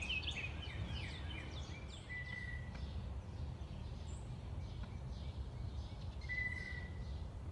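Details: Blue Jay in an urban backyard in St. Louis in early spring, giving squeaky, creaking notes (the "squeaky pump handle" call), then two even whistled tones about four seconds apart, over a steady low rumble.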